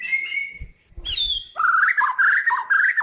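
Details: Kalimantan white-rumped shama, active singer used for song training: a steady high whistle, a sharp piercing high note, then a rapid rolling run of mid-pitched warbled notes.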